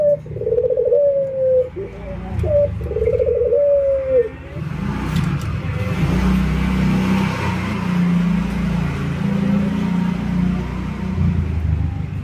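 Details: Albino white and local ringneck doves in routine training, nodding and laughing: a few falling coos over the first four seconds, then a loud rumbling engine-like background takes over.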